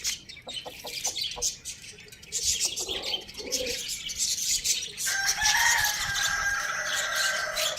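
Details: Morning crow of a pet rooster living with hens, chicks and budgies: after several seconds of chattering budgie chirps and soft clucks, a long, loud, sustained crow rises in the final three seconds.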